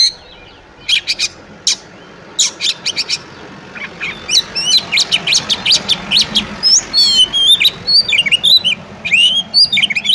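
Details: Kacer, the oriental magpie-robin, in fighting 'ngobra' song: after a quiet start, scattered harsh rasps build into a fast continuous run of whistled notes, trills and chattering phrases, all high-pitched.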